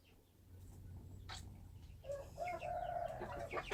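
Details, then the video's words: Wild chicken rooster crowing faintly at a distance, a drawn-out wavering note in the second half over steady low background rumble. "Noob qaib qus Qaib dib qua zoo - wild chickens"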